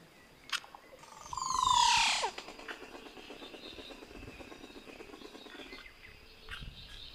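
A Crested Oropendola gives one loud, liquid gurgling call with a sweeping, falling end, lasting about a second. A soft, rapid ticking rattle and faint bird notes follow.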